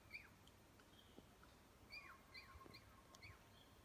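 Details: Northern flicker in a Yosemite fen: a quick series of sharp, falling call notes spaced under a second apart, with faint clicks and a low outdoor background hiss.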